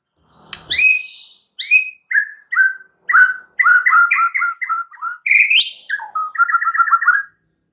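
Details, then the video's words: White-rumped shama lure song, full of varied phrases, meant to get other birds singing: a swooping opening note followed by many quick whistled notes and a rapid repeated trill near the end. "PANCINGAN MURAI FULL ISIAN"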